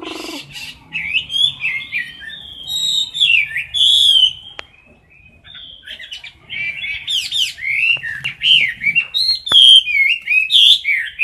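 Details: Caged Chinese hwamei in close-up, singing competitively: loud, varied whistled phrases sliding up and down, some with buzzy overtones, broken by a brief quiet pause midway before the rich, rapid phrases resume.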